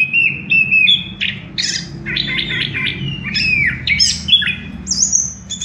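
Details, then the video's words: Orange-headed thrush song used to prompt birds into singing: a busy stream of varied whistled and buzzy notes, some sliding downward, with a steady low hum and room noise underneath. "pancingan ampuh! punglor kembang | merangsang burung cepat gacor"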